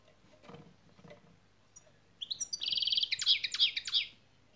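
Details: European goldfinch singing the şak şak style used in song training: after faint background knocks, a rapid burst of high, buzzy, sharply rising notes runs in a quick rattling series for about two seconds.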